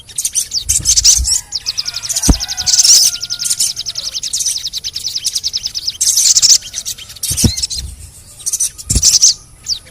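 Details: Crimson sunbird calls for stimulating reluctant birds to sing: loud high chirp bursts and a long, fast, ticking trill, plus steady faint whistle tones and a few low thumps.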